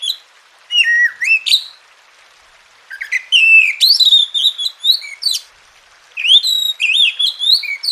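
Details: Kacer (Oriental magpie-robin) song used as therapy to get reluctant birds singing. Ringing whistled notes, some sliding upward and some falling, come in three clusters broken by a silent gap of over a second.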